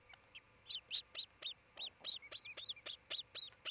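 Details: Osprey pair at their nest in Charlo, Montana, on a June 2018 midday nest-cam recording: a rapid, insistent series of high, piercing whistled chips, about four per second, unbroken for several seconds.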